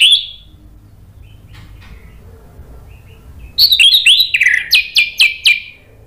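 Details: Orange-headed thrush singing loudly in the gacor ngeplong style, meant to provoke silent birds into answering; after three seconds of near silence, a burst of rapid, varied whistled and chattering phrases repeats about four times a second.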